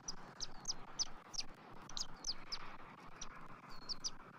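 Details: Bald eagles at a nest on January 3, 2024, during a morning feeding of a chick amid nest-building with sticks and fluff: a quick run of high, thin chirps and piping notes repeated every few tenths of a second over a soft hum.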